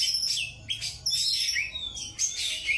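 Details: A caged Oriental magpie-robin, singing as if fighting the bird beside it, gives fast, dense song: loud whistled sweeps and rapid chattering notes packed tightly together, high-pitched and nearly unbroken.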